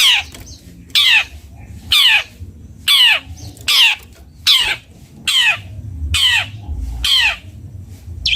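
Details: Cendet bondol, a Long-tailed shrike, giving loud harsh downward-sweeping notes, one roughly every second, with quiet gaps between.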